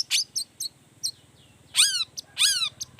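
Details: Long-tailed shrike in provocative song aimed at drawing other shrikes to sing. Brief high chips lead into two loud, harsh, descending rasping phrases over a low steady hum.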